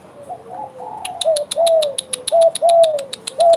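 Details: Spotted dove (derkuku gacor), bekur cooing: soft wavering notes open, then three clearer hooked-and-falling coo phrases, accompanied by rapid regular clicking from the first second onward.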